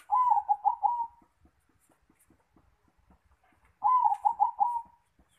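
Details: Zebra dove (perkutut) in full song at the nest: two rolling, bubbly cooing phrases about three seconds apart, each a quick series of warbled notes ending in a sustained tone, with soft regular clicking between.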